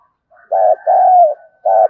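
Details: Spotted dove used as a decoy to draw wild doves, giving a brief burst of deep coos: a short note, then a longer sliding coo, then another short one, with nothing else audible.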